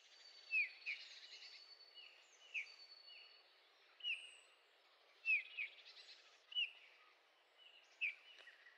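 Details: Eurasian bullfinch calling in Heringhausen, Sauerland, Germany, on 15 August 2013: soft, short piping whistles sliding downward, given singly or in quick pairs about every second, over a faint steady background hiss.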